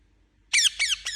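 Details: Indian ringneck parakeet giving three loud, harsh squawks in quick succession, each a rough downward-bending note, with a quiet room behind.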